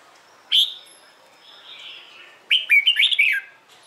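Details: Red-whiskered bulbul's morning competition song for training; a single sharp upslurred note, a soft pause, then a rapid phrase of several rolling whistled notes.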